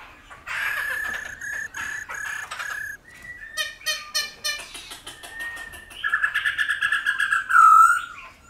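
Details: Black-throated laughingthrush in the mature wild-style voice, used to train wild-caught birds. Steady whistled notes give way to scratchy, rattling bursts, then a fast series of ringing whistles ending in one bright high note.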